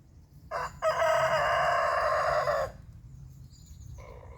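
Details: Morning crow of a rooster marking his territory among waking birds: a short clipped first syllable, then a strong drawn-out cock-a-doodle lasting nearly two seconds. A quieter, lower call follows, over faint twittering in the background.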